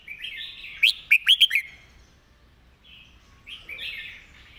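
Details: Red-whiskered bulbul song played to teach birds: a warbled lead-in followed by four crisp, rapid, emphatic notes, then a quieter trailing phrase.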